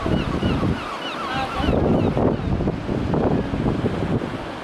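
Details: Eurasian oystercatchers on a beach reserve at the IJzer estuary, Nieuwpoort, on 22 January 2021 (one ringed bird at least 25 years old) give a quick run of shrill, slurred piping notes, then fall quiet under heavy wind and crashing surf.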